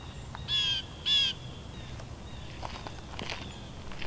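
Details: Scissor-tailed flycatcher, an uncommon visitor to New Jersey, at Edwin B. Forsythe National Wildlife Refuge in November 2015, recorded on a Canon EOS M with Tamron lens: two harsh, buzzy, grating notes half a second apart, then faint background noise.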